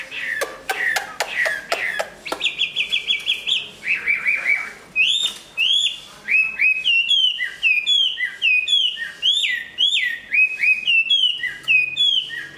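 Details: Large Chinese hwamei growing new plumage starts with sharp repeated clicking notes, then a held whistle, a descending trill, and a long series of ringing upslurred and looping whistles, each phrase clearly separated.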